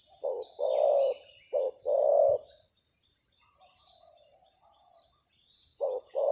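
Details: Spotted dove decoy calling at a wild dove: paired short and long low coos repeated, a softer distant coo midway, and another pair starting at the end, with high background hiss.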